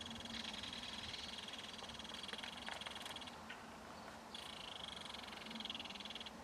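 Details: Belted kingfisher at its nest in a mud bank while feeding fish to its baby. Adult and young keep in contact. Rapid, harsh rattling chatter comes in two long bursts separated by a short pause, over steady background noise.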